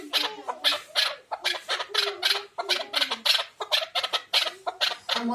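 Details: Chukar partridge giving loud, rapid, rasping chuk notes in an uneven repeated series, about three a second, sharp and broadband, with low tonal sounds faintly beneath.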